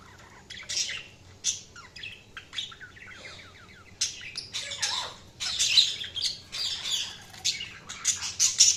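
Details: Budgerigar chirping, a flock's dense chatter of buzzy squawks and quick warbled notes, quiet at first, then growing louder and more continuous in the second half with overlapping calls.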